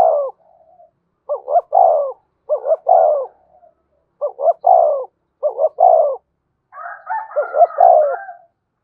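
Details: Series of spotted dove coos from a decoy bird used to excite a wild-caught one: six rhythmic phrases of two short notes and a rolling longer coo, roughly every second, the last overlapped by warbling.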